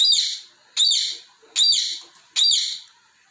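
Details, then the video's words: A pet talking parrot, playing with its toy balls and scolding them for rolling away, lets out four harsh, high squawks. Each sharp note starts suddenly and fades, repeating about every 0.8 seconds. "Parrot Chirping sound"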